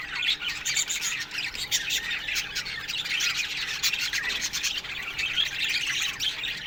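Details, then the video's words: Morning chorus of an aviary budgerigar colony: dense scratchy chattering and sharp tweets from many birds, continuous throughout. "Budgies Morning Chirping Sounds"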